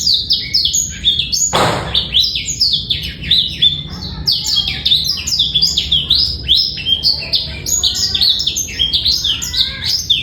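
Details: Male black-throated canary singing fast, bright twitters recorded to coax young birds into song; a short thump early on, then steady high sweeping notes with some softer lower chatter beneath.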